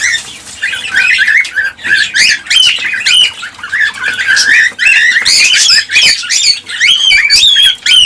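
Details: Cockatiels in captivity, sound played to stimulate breeding and production: dense overlapping chatter of warbling whistles and harsh squawks, several birds calling at once with short pauses.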